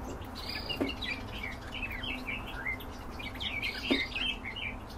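Black-headed Bunting song: two brief jumbled phrases of scratchy, chirping notes, about three seconds apart, over steady background hiss with a couple of faint clicks.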